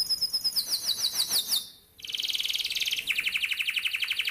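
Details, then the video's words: Atlantic canary training song for young canaries, a long rapid roll: runs of fast downward-sweeping high notes, then dense buzzy trills in blocks of repeated syllables, bright and continuous. "PANCINGAN KENARI PAUD MUDA HUTAN CEPAT BUNYI NEMBAK"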